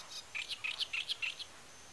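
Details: A great reed warbler in the reed marsh of the Tancat de Milia reserve, l'Albufera de Valencia, where it breeds, sings a quick burst of seven or eight harsh, chattering notes in a rapid, jerky run, then stops.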